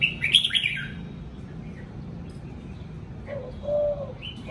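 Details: Red-whiskered bulbul kept caged at home delivers one short, loud flourish of bright whistled notes, then quiet; a low, soft cooing from another bird follows near the end.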